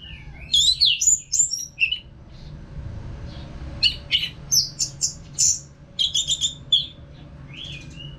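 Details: Caged orange-headed thrush, Singaraja, Bali, in continuous song: a tumbling rush of varied whistles and chirps, a short lull, then a lively sequence of sharp high notes and slurred whistles.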